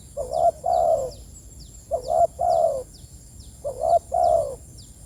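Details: Spotted dove calling its companions, three evenly spaced phrases about every 1.8 seconds, each a stuttered short coo then a long rich falling croo, with faint high chirps behind.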